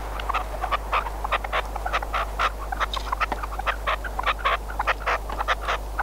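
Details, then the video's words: Red-legged partridge used as a hunting decoy, a friend's bird: rapid, irregular series of harsh, clipped chattering notes, roughly one and a half per second, with a steady low hum underneath. "Perdiz con reclamo"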